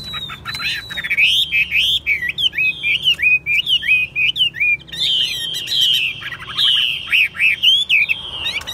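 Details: Loud, continuous song of a kept Chinese hwamei said to be a steady singer and fighter: long strings of bright, up-and-down whistled slurs, with a few harsher buzzy notes mid-way.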